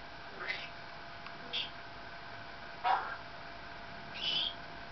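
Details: Maximilian's pionus kept as a pet, chatting and singing with its owner while waiting for a delivery: four short, separate vocal bursts, some sweeping and whistled, one dropping sharply in pitch, spaced about a second apart in a quiet room.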